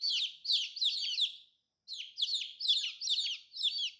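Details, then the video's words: A group of newly hatched, colorful chicks calling in shrill falling peeps, one clustered burst, then a brief silence, then another dense run of cheeping. "Chicken free sound"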